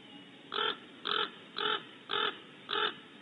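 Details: Oak titmouse outside its nest cavity in California gives five harsh, raspy notes. The notes are evenly spaced about every half second over steady faint background hiss.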